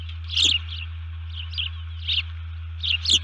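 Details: Female osprey at a nest on camera, recorded 1 June 2019 around 04:35, calling alerts after being upset by something at the nest: a short series of sharp, high chirps in quick bursts, over a steady low electrical hum.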